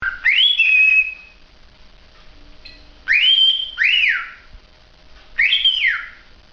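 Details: Cockatiel singing: clear whistled notes that rise steeply, then hold or arch down, in three phrases spaced about two to three seconds apart in a quiet room.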